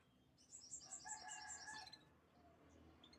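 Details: Canary singing: a bright, high-pitched trill of rapid, evenly repeated whistled notes lasting about a second and a half, then fading to scattered soft chirps over a low background hum.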